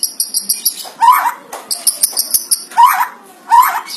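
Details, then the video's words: Loud white-rumped shama song described as mimicking a monkey, used for luring other shamas: rapid high thin chips repeated in quick runs, broken by three harsh, low, grating bursts. "NGERI murai batu bersuara kera Real 100 % MANTUL buat pancingan murai"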